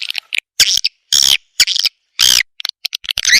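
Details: Swiftlet attraction call with separate rasping chirp bursts, about one a second, between short ticking notes and silent gaps.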